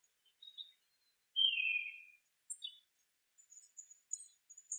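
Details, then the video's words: Pine siskins in a birch tree on November 24, 2012, giving sparse high calls: one drawn-out buzzy note sliding downward, then short thin chips and tinny twitters spaced by brief pauses, in an otherwise quiet setting. "Pine Siskins in the Birch"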